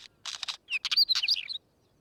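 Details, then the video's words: A northern wheatear gives three hard, clicking chack notes, then a quick burst of scratchy, high warbled notes lasting about a second, with no other sounds. "Wheatear Bird Sound Effect"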